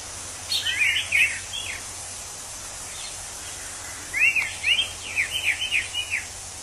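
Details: Wild orange-headed thrush gives two bursts of quick, downward-slurred whistles, the second a rapid series of about six notes, over loud, steady insect and ambient noise.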